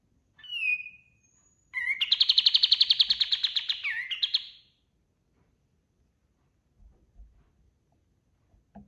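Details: Kapas tembak white-eye in energetic song for training other birds: a thin sustained whistle, then a long rapid trill of about twenty-five buzzy pulses lasting nearly three seconds, ending in a dip, followed by near silence with faint knocks.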